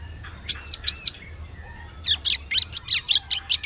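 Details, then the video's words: Bar-winged prinia calling for luring birds in forest: two loud arched whistled chirps, a second of quiet, then a quick series of about eight thin, sharp ticking chirps. "Suara Pikat Burung Ciblek Cocok Untuk Memikat Di Hutan"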